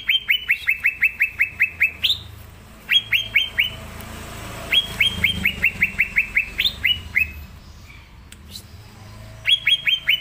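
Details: Green leafbird in chattering full song, recorded to prompt young leafbirds. Quick strings of falling whistled notes, some runs ending in a sharp upward note, with a quieter gap in the middle and a faint background hiss.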